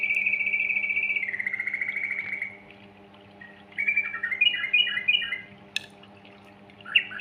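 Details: Sooty-headed bulbul (trucukan) in busy, rapid-fire 'gacor ropel' style, used to lure young birds into singing; drawn-out sliding whistle for two seconds, a pause, then bubbly warbled phrases and a final sharp burst, over a steady low hum.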